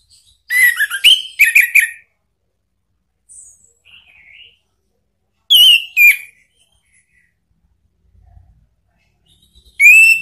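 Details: Orange-headed thrush lure song in the ngeplong style, played to make a kept thrush answer: two bursts of sharp, slurred whistled notes, a long pause, another short phrase, then a final burst cut off at the end.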